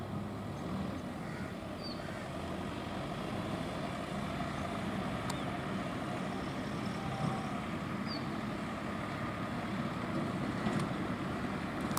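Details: Steady broadband engine rumble, like a passing truck or vehicle, fills the whole stretch with no animal calls standing out.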